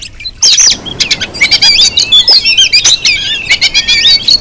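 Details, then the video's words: Female Oriental magpie-robin call used as a lure to provoke a male: a busy run of rapid, clicky, twittering high notes with short whistled slurs, almost continuous after a brief quiet start. "Coba Siulan Kacer Betina ini dulu siapa tau cocok buat Pancingan bikin kacer Bergaya"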